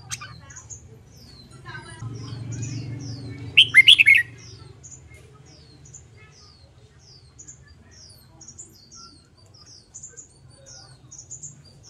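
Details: Red-whiskered bulbul, training for contest singing: one loud warbled phrase of several quick notes midway, while another bird repeats thin, high down-slurred chips throughout, over a low hum.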